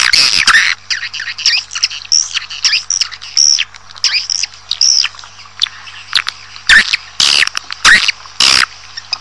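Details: Lure call of swiftlets, played to attract a colony into a building: a loud burst of chirps, then rapid buzzy twitters and short rising-falling chirps, ending in several sharp loud bursts; a faint low hum persists.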